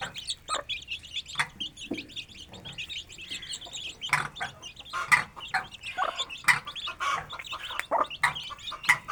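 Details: Free-ranging Aseel chicks feeding beside their mother in a village yard, giving scattered high peeps, with low clucking from the hen and pecking or scratching noises between the calls.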